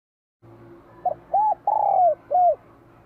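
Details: Spotted dove, bell-voice type, from Vietnam, singing strongly for spring 2023: a clipped opening coo, an arched note, a long descending ringing coo and a final bowed note, over a faint low hum.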